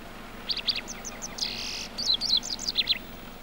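A White-browed wagtail gives quick, high chirps and short twittering notes, with a brief buzzy trill in the middle, over a faint low hum.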